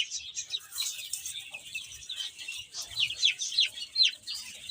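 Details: Young chickens busy eating and playing, giving a steady stream of high downslurred peeps, many birds calling at once, louder bursts toward the end.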